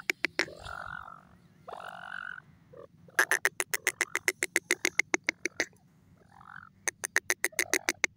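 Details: Dakni teetar, the grey francolin: drawn-out croaking, nasal calls give way to long, fast trains of crisp, clicking notes, about four to five a second, over a constant low background hum.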